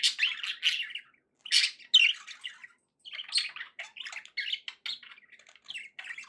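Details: Pet budgerigars, described as happy, give clipped chirps and scratchy squawks in scattered bursts, a few sharp high notes standing out over softer warbling.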